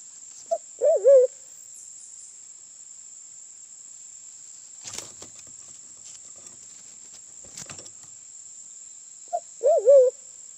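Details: Sulawesi black pigeon (Turacoena manadensis) from Sulawesi, recorded as a lure call. Two identical low wavering hoot phrases, each opened by a brief note, sound about nine seconds apart. Faint clicks fill the gap, and a constant high-pitched whine continues.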